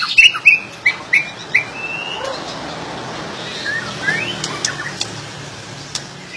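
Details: White-rumped shama singing: a quick run of bright, clear whistled notes rising and falling in the opening two seconds, then sparse sharp chips and a few soft whistles over steady background hiss.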